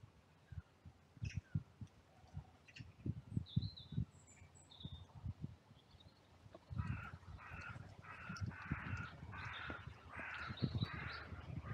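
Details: Crows calling in a cemetery oak grove during hand feeding, with squirrels and pigeons about: after soft thumps and distant high chirps, a run of about six harsh, hoarse caws in quick succession, one under a second apart.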